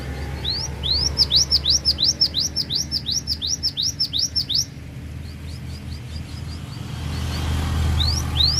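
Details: Cinereous tit singing its full range of fill-in phrases at Takengon, Central Aceh: a fast, even series of about a dozen sharp, rising whistled upsweeps. The series stops abruptly, followed by faint notes and two final upsweeps over a low rumble.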